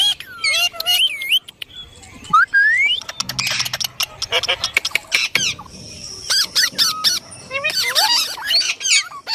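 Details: Indian ringneck parrot with curving whistled notes and squawks, a noisy burst of chatter midway, then more looping harmonic calls toward the end.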